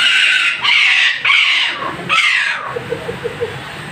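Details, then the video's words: An angry parrot repeats four harsh, grating squawks about every half second, each ending in a downward slur. Softer soft clicking taps follow at the end. "Very Angry Parrot"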